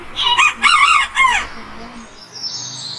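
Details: Morning crow of a rooster: a short, hoarse, wavering cock-a-doodle of three pulsing syllables, then fading with faint background noise.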